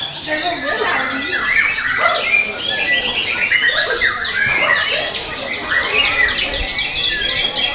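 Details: White-rumped shama, young and forest-caught, with song material said to come from all of nature: an unbroken stream of fast slurred whistles and buzzy chatters, bright and high throughout.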